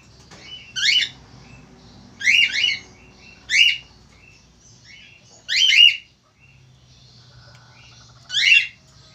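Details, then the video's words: Male Australian falk, described as loud and frequently calling, repeating shrill descending chirps singly and in doubles roughly every one to two seconds across the recording, with faint soft notes and a low hum between. "FALK AUSTRALIA JANTAN GACOR"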